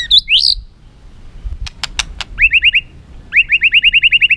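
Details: White-rumped shama, caged, known as chòe lửa or murai batu, singing to spur rivals: brief whistles, loud clicks, then evenly repeated upswept notes in quick rhythmic series.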